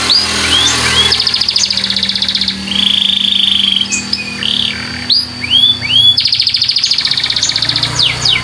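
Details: White canary chirping and singing: fast, buzzy, high trills of rapidly repeated notes, a drawn-out whistled tone, then short upslurred chirps before another long rapid trill, over a steady background hiss.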